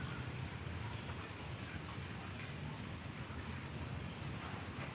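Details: Steady low rushing wind or water noise fills the whole stretch with no animal call, ending in a brief sharp click.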